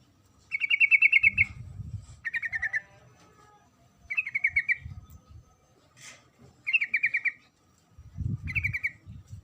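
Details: Female sooty-headed bulbul calling a male: five chattering bursts of rapid stuttered notes, some slightly falling, separated by brief pauses, with low thudding noises underneath.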